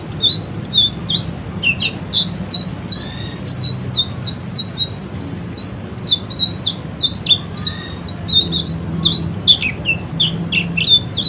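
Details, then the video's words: Lively white-rumped shama song from a recording used to train caged birds: a long, busy stream of chirped and trilled notes with occasional clicks and low background hum. "masteran burung murai selendang biru gacor"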